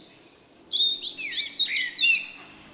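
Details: Distinctive song of a shy male common blackbird, March 2024: thin high notes followed by a sliding, warbled whistled phrase that drops and rises again.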